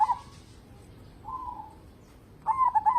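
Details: Local zebra dove singing actively, kept as a lure to get other birds singing: a clipped soft cooing phrase opens, a drawn-out low coo follows, and a bright stuttering coo phrase ends it, with steady faint hiss behind.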